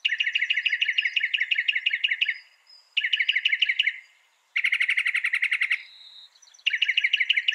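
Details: Northern mockingbird singing loud, fast phrases: rapid repeated chattering notes in bursts of about two seconds, separated by short pauses, one burst higher and more buzzy, with a faint whistle in a gap.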